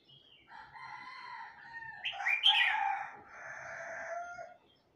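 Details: Red-whiskered bulbul from Huế, a young bird newly learning its song: long nasal, harmonic tones held for seconds, broken by a louder rising twittered burst in the middle, then fading.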